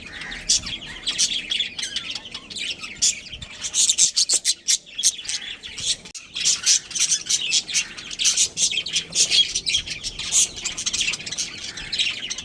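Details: Colony of budgerigars including a breeding pair, a dense chorus of bright, high chirps and chattering twitters, packed in rapid bursts with brief pauses near four and six seconds.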